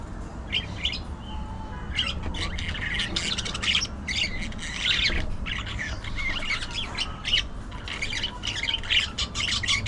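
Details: Several budgerigars chatter continuously, a dense stream of rapid high chirps, clicks and scratchy warbled notes with only brief pauses, above a constant low rumble.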